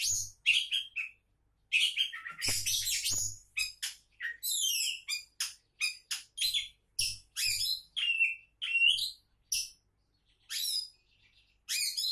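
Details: Kacer, the Oriental magpie-robin, pours out a long, varied song of crisp whistles, sharp chirps and rapid trilled notes, phrases separated by short pauses, with occasional low knocking sounds underneath.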